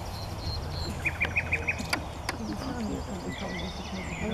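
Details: Common nightingale singing from trees close to a trunk, Paxton Pits, Cambridgeshire, 30 April 2016: a fast run of five ringing, evenly spaced notes, then scattered chirps and twitters over heavy low rumble and faint voices.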